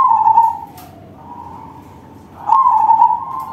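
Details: Big-voiced crossing-bred perkutut, a zebra dove, cooing: loud warbled low note, a quieter steady coo, then another strong vibrating phrase rising near the end.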